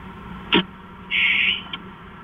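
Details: Owl pair at the nest before dawn, 5:43 on September 4, 2013, meeting for early morning bonding. A short sharp click is followed by a drawn-out, hoarse screech lasting under half a second, then one brief tick.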